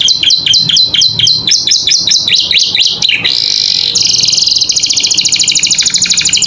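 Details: Caged canary song for teaching other birds: a fast series of repeated down-slurred whistles, a short harsh buzz, then a long high rapid rattling trill.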